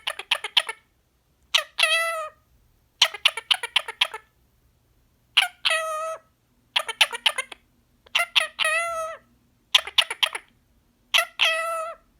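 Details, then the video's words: Pet male green pied Indian ringneck parakeet chattering non-stop while relaxing, saying words like yummy yummy, come here baby and tickle tickle; about eight raspy, strongly harmonic two-part phrases, each ending in a higher drawn syllable, spaced over twelve seconds, quiet room hum. "the parrot talks non stop while relaxing"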